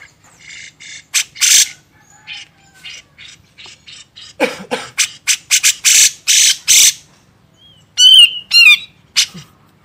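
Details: Grey-cheeked bulbul on a master recording for teaching songbirds: scratchy, noisy notes in uneven runs, with a couple of twisting whistled phrases near the end.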